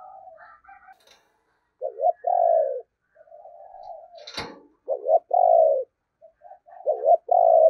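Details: Spotted dove used as a decoy bird, cooing in the 'thổ' voice style: low, mellow coos in repeated phrases, each a short rising double note then a long falling coo, about two seconds apart, with quieter softer coos between.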